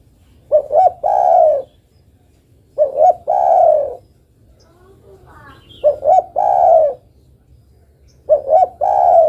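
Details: Spotted dove (derkuku) female calling for a male: four repeated coo phrases, each two quick notes then a long descending coo, spaced about two to three seconds apart, with a faint voice in between.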